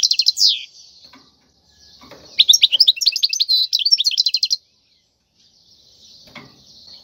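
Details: Khalwi-style song of a wild European goldfinch, intended for teaching chicks to sing: a downslurred note, a pause, then a dense two-second run of sparkling twitters and buzzes, followed by quiet.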